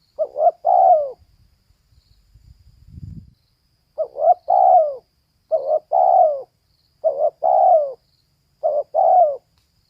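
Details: Series of five coo phrases from a female spotted dove, each a stuttering double note running into a longer falling coo, after a brief patch of low rumble.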